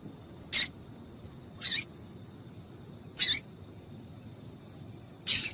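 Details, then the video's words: A female yellow-bellied seedeater repeats a rough, scratchy high call note four times at roughly one- to one-and-a-half-second intervals, meant to get males singing; a faint steady hum underlies it. "Piado de Fêmea de Papa capim para Esquentar Papacapim"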